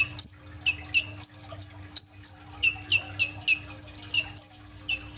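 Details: Kolibri ninja sunbird in full, energetic song with rapid bursts of inserted phrases, recorded on an Oppo A37f phone: thin, very high whistled notes that slide sharply downward, delivered in quick irregular bursts, some flat piercing tones, over a low steady hum.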